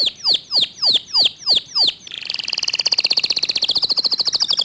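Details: Local canary singing rapidly and clearly: six loud falling whistles spaced about a quarter second apart, followed by a long, dense, buzzy rolling trill that slowly rises in pitch.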